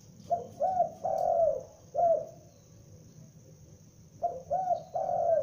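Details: Spotted dove, a young bird used as a lure, calling loudly: a phrase of short coos then a long, slurred, falling coo near 600–800, repeated twice with a pause between, over a steady high hiss and low rumble.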